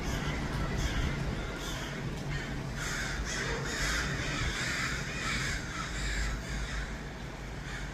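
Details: Large group of crows in Los Angeles producing a near-continuous chorus of rough, throaty caws, rising to a dense clamour midway, with a steady low rumble underneath.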